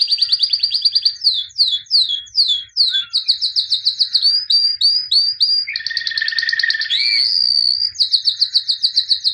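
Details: Champion white albino canary of 2017 sings a varied continuous song: fast high trills, a run of downward-sweeping whistled notes, a low buzzy rattle, then more rapid rolling phrases.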